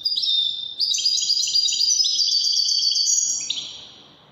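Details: A European goldfinch of the Widani type pours out dense, high, tinkling trills and twitters in Moroccan Widani style, the phrase running without a break before tapering off at the end.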